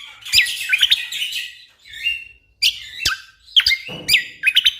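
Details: Chattering, fluttering song of an orange-spotted bulbul, recorded as tutor material for competition birds, with tight bursts of high, twisting whistles separated by short gaps and one rougher buzzy phrase near the end.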